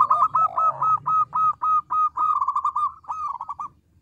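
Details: Local zebra dove in full song, small-voiced but loud, meant to provoke replies: one fast continuous string of clipped, evenly pitched coo notes lasting about four seconds, with a lower curving note early on.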